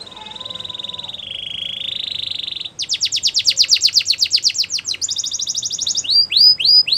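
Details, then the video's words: A Belgian canary sings a training song: a high, rolling trill, then a fast run of sharp repeated notes, another buzzy trill, and a few bright rising whistles. "Canary Training Song | Belgian Canary Singing"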